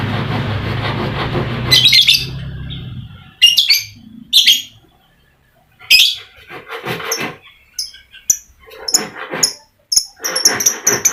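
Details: Lure recording of a lovebird to stir silent lovebirds into song: scratchy, shrill chirps and chattering bursts in irregular clusters, broken by brief silences, with a low rumbling hum at the start.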